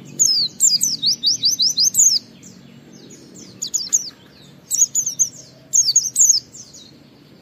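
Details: Oriental white-eye singing in the ngalas style joined with wiksar, a lure song meant to prompt other white-eyes to sing and open their beaks: rapid high, thin zigzag notes in fast bursts, with pauses between phrases.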